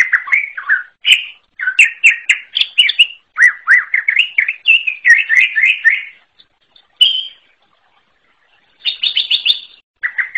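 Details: Wild greater green leafbird giving a unique song: a loud, fast, varied run of slurred, warbling whistles and chattering notes, mostly mid-high, in bursts with brief pauses and a final high trilled phrase.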